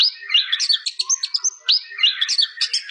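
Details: Mastered recording of a white-rumped shama giving two matching song phrases, each a rising whistle followed by quick high chips and sweeps, clean with no background.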